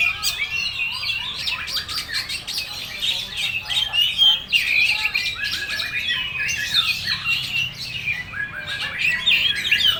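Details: Oriental magpie-robin singing in the full-material style: a dense, varied run of quick chirps, squawky notes and twittering whistles, pitched high and nearly continuous, with loudness swelling and falling throughout and no other clear sounds.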